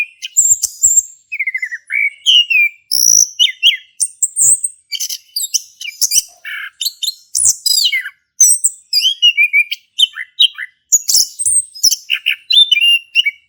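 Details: Male orange-headed thrush, caged, Indonesia, in vigorous ngeplong song intended to make other thrushes sing: long unbroken stream of varied whistles, downward slides, buzzy chips and squeaks, phrases separated by very short breaks.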